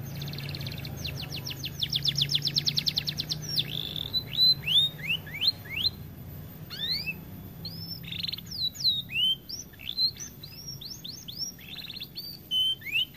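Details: Canary said to be too fat to sing much, opening with a long rapid buzzy trill, then scattered sharp rising and falling whistled notes in irregular bursts, fairly clean background with faint low hum.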